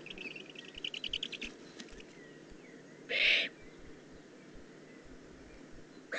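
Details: Juvenile Eurasian eagle-owl in the Eifel, 18 June 2016, one loud, harsh hiss mid-clip and another starting at the end, preceded by a rapid series of short chirps from another bird.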